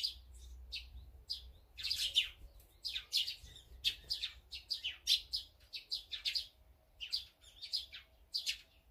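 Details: Lively chirping of feeding birds, among them azure-winged magpies, sparrows, tits and brown-eared bulbuls: rapid high tweets packed closely, many callers overlapping, over a low hum at the start.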